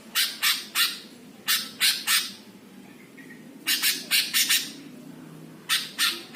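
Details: Greater green leafbird master song meant to provoke other birds: rapid rasping squawk notes in clusters of three to five, one faint soft whistle in a gap, steady low background hum.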